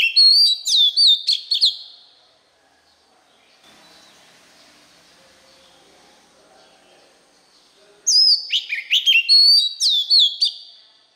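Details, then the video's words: White-rumped shama song, used for training young birds to learn the voice: a burst of loud, varied whistled notes and sweeping slurs, a quiet gap of faint background noise, then a second rich whistled phrase. "Luyện Giọng chòe than, ép giọng chòe than, cho chim non học giọng"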